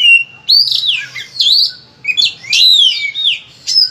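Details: Kacer, the Oriental magpie-robin, delivering loud full song for prompting other birds: slurred whistled phrases rising and dropping, separated by brief pauses, with a faint low hum beneath.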